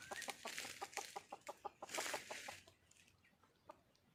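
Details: Wild red junglefowl hen seeking a male mate: quick run of short clucks, roughly three a second, over rustling noise, then slowing to a few scattered clucks.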